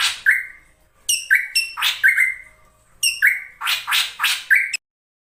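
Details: Drongo female calling to lure the male, used as a lure sound to get males singing: harsh broadband squawks, each ending in a short level whistle, in two bursts of four to five notes with brief pauses between.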